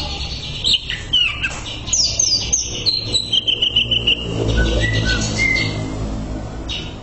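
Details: Greater green leafbird tutor song for training birds: a busy mix of sharp high chirps, rising whistles and rapid clicking notes, then a few longer clear whistles over a low rumbling background.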